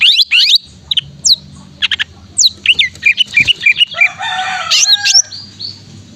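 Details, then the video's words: Greater green leafbird in full song, used as a training lure to make silent leafbirds sing again: rapid bright chirps and sweeping whistles, then a dense burst of harsh chattering notes near the end. "Cucak Ijo Gacor Untuk Terapi Cucak Ijo Malas Bunyi"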